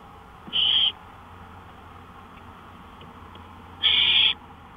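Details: Two raspy hissing screeches from an owl, about three seconds apart, recorded from a porch at 1:53 AM on May 5, 2013, with quiet steady background noise.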